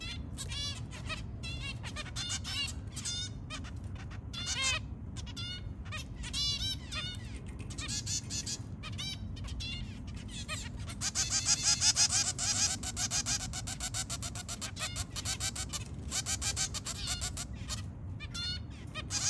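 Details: Zebra finch family with three babies calling in the early morning: dense, rapid nasal beeps and buzzy harmonic notes overlapping in quick succession, swelling louder near the middle, over a low steady background hum.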